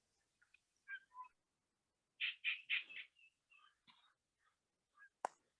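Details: A Gray Catbird at a nature conservancy on June 26, 2021 runs through a jumbled string of squeaky, chattering and whistled phrases mimicking other birds, about four notes a second, with a sharp click near the end, amid airplane, mower and wind noise.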